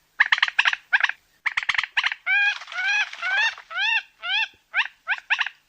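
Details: Common moorhen calling with clusters of quick sharp notes, then a series of louder, rising, upward-sliding kurruk-like calls at about one per half second, ending with clipped stuttering notes.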